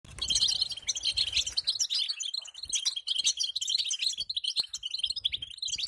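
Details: European goldfinch female giving the batbata call, used to set a male singing: dense, fast, high twittering of sharp chirps and trills with barely a pause, a few low thumps underneath.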